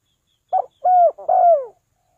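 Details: Lure call of a spotted dove: a brief opening note followed by two drawn-out, soft, downslurred coos, the last the longest, in a quiet setting.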